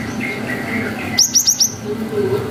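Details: Cinereous tit, a highly vocal wild bird, giving a 'wucit panjang' lure song meant to provoke young tits to answer emotionally: four quick high whistled notes, each sliding down, in one burst over faint low background noise.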